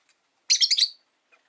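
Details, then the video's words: ['A single rapid, squeaky, stuttering burst of chatter, about half a second long, from caged rosy-faced lovebirds, five birds kept near a window.'] "Lovebird Chirping Sounds"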